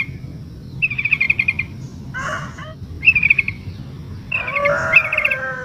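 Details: Calling to attract a male, a female yellow-vented bulbul in breeding condition gives fast trilled chatter phrases, one long and one shorter, mixed with a harsher burst and a tangle of other notes, over low background noise.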